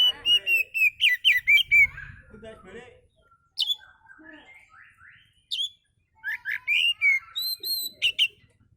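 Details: Oriental magpie-robin singing as a lure: a fast run of fluty whistles, quieter scattered notes and sharp chips, then renewed varied whistled phrases.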